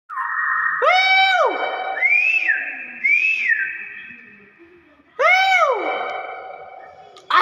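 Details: Common hill myna giving its natural voice: loud whistled calls with rich harmonics, each sliding up then dropping, in a few bursts over seven seconds, with people exclaiming nearby.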